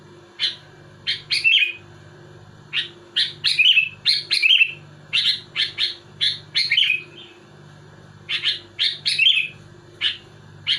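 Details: Sooty-headed bulbul, known locally as kutilang, delivering dense provoking song toward rival bulbuls: near-continuous bright chirps and short warbling phrases in quick succession, one brief pause mid-clip, low hum throughout.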